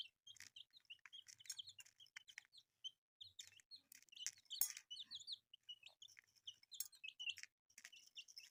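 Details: Many newly hatched chicks cheeping together, their rapid high downslurred peeps coming in clusters, mixed with clicks and tapping sounds.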